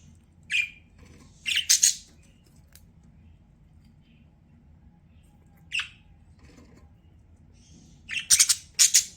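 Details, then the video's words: Budgerigar letting out scattered scratchy chirps and squawks with long quiet gaps between them, finishing in a cluster of loud rasping notes near the end, with a low room hum throughout. "CUTE BUDGIE SOUNDS"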